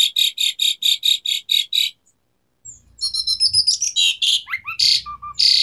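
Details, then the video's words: Vigorously singing Asian pied starling with a 'tembakan' fill. Rapid harsh buzzy bursts stop after a short pause and give way to a jumble of sharp whistles, squeaks and grating notes. "Pancingan Jalak Suren Gacor Variasi Isian Tembakan | Masteran Suara Burung Jalak Macet Bunyi"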